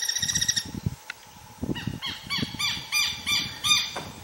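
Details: Guira cuckoo (Guira guira) gives a rapid series of arched, ringing notes, about three per second, after an opening harsh harmonic call; low thumps and rustling underneath.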